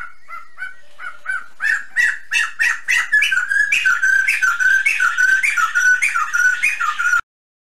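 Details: Sumatran laughingthrush from Sumatra's highland forest: a few soft hooting notes, then a building chorus of loud squawky, chattering whistles repeated rapidly and steadily for about five seconds before stopping abruptly.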